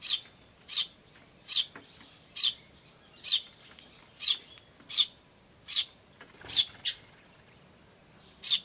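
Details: Tree sparrow chick calling "chi chi" with adult sparrows, 10 May 2013: steady high chirps roughly every 0.8 seconds, then a pause before a final chirp, in a quiet setting.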